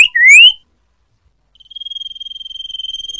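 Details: A common iora, recorded as a lure call for trapping, gives a quick rising whistle, then after a pause a long, even, high trill of rapid buzzy pulses at a steady pitch.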